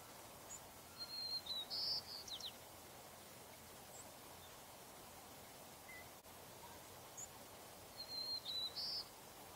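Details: Two renditions of a slightly different white-crowned sparrow song: each opens with a high, thin whistle, then a bright buzzy note and sharp downslurred chips. The second song is cut short. Steady low ambient noise runs underneath.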